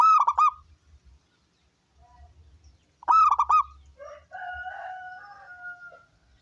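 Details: Local zebra dove with a big voice, singing to entice other doves to sing: two quick phrases of rolling, burry coos about three seconds apart, followed by a softer drawn-out tonal sound and faint low background knocks.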